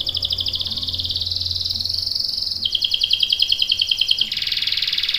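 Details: Canary singing a long rolling trill in three sections, each a rapid, even buzzy series of pulses, stepping down in pitch between segments, with faint low hum beneath.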